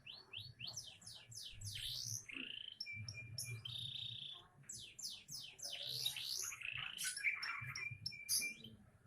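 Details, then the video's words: Young canary singing bright cascades of quick descending sweeps, short held whistles and twittering rolls, against a low background hum. "Burung canary isian bukan main masih muda mental juara"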